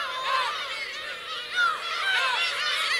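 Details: Black-tailed gulls with chicks on the coast of Teuri Island, Hokkaido, Japan, 17 June 2021, give a short stretch of overlapping, drawn-out mewing cries. A few clearer slurred calls stand out against a soft background hiss.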